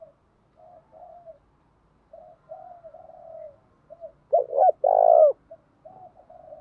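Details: Pigeon-sized spotted dove sung in the thổ voice style while provoked to fight. Soft, low, wavering coos build to one loud phrase of two short notes and a long rolling coo, then quiet cooing resumes.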